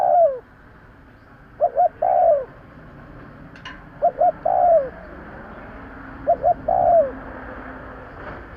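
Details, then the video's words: Spotted dove calling to lure other birds: a steady repeated low phrase of two brief hoots and a longer descending coo, heard four times at even intervals over light background hiss. "Tiếng chim cu gáy kèm kích bổi nhanh nổi - Suara yang menarik suara Tekukur Enak Didengar Buat Pikat"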